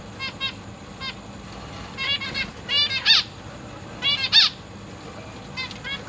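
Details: Zebra finch chicks and juveniles in a big indoor cage while parents feed the new brood, August 2023: rapid clusters of short nasal, buzzy harmonic notes, repeated in bursts, with two louder double calls near the middle.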